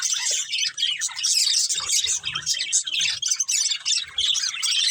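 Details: Breeding pair of budgerigars warbling without pause: fast high chirps, trills and squeaky notes layered densely, with faint low bumps in the middle.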